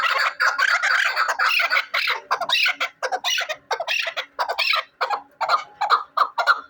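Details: Chukar partridge kept for hunting gives harsh, scratchy, irregular calls in quick bursts, broken by brief silences, fairly loud and rough throughout.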